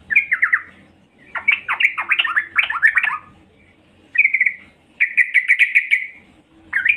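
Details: Female yellow-vented bulbul calling to draw in males, giving tumbling, chattering phrases of sharp downward-sweeping notes, then bursts of quick level chirps run together, separated by short silences.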